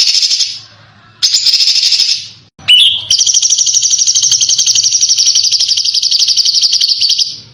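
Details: Contest-bird masteran featuring dense, harsh screeches and sharp bursts: short high buzzy phrases, a quick rising note, then an extended rapid chattering trill held steady for over four seconds.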